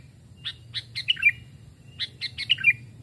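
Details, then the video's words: Sooty-headed bulbul kept as a trapping decoy, singing in forest: two matching phrases of several rapid chirps building into a warbled falling ending, about one and a half seconds apart. "tes mental dan suara saat di hutan 2 jenis Burung Kutilang"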